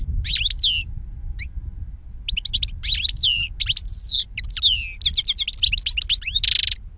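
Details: European goldfinch, two-year-old bird singing wild-style (silvestre) song with powerful timbre; high twittering phrases of rising and falling whistled notes, broken by short pauses and a brief buzzy burst near the end, over low background rumble.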